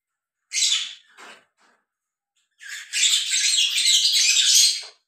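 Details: Lovebirds, a mating pair, giving a sharp squeaky note, a pause, then a long burst of shrill, grating chatter with rapid overlapping notes.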